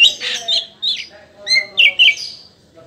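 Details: Oriental magpie-robin, a natural song used to prompt other magpie-robins to sing: scratchy, squeaky phrases followed by a few sharp whistled notes sliding downward, short pauses between bursts.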